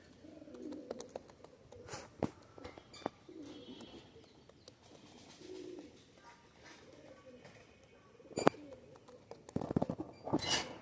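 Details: Pakistani high-flyer pigeons give low, soft, rolling coos in repeated bursts, with a few sharp clicks and knocks.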